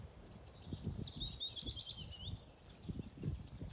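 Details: Willow warbler (Phylloscopus trochilus) singing a soft, descending phrase of sweet whistled notes over low wind rustle, 20 May 2023, Lilla Dalby Bjärby nature reserve, Öland, Sweden; a nightingale also sings later in the recording.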